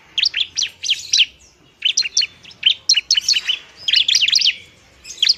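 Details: Bar-winged prinia in fighting song for luring and stimulating lazy birds to sing: dense bursts of sharp, high, slurred chirps in quick groups, separated by brief silences.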